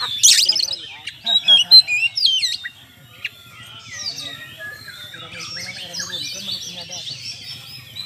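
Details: Oriental magpie-robin song used to provoke rivals into fighting: loud burst of sharp, varied whistles and chattering trills in the first three seconds, followed by softer scratchy warbling with a man talking quietly underneath.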